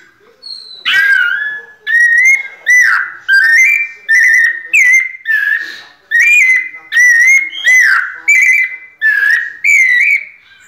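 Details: Captive white-necked thrush (sabiá-coleira) singing in the pianado style: a series of about twelve loud, clear whistled phrases near one pitch, each sliding and slurred, with high tinkling overtones, roughly one phrase per second.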